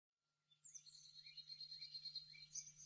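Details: Blue-necked tanager filmed in Bogor, Indonesia, gives a thin, high, sibilant run of twittering notes with quick down-slurred chips over a low steady hum.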